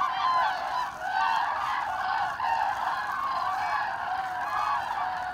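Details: Autumn migration of Common Cranes, 25 October 2021: a flock's overlapping bugling calls, about one a second, in a loud continuous chorus with a brief dip in volume near the middle.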